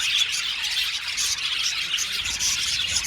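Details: Several blue male budgerigars in an aviary colony, a busy burst of high chattering chirps with a few clear whistled notes over the crowd.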